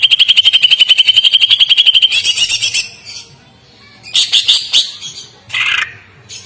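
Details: Greater green leafbird song, used as a master song for training birds: a fast, even run of sharp high notes about four per second, then a pause and short bursts of chattering, buzzy phrases.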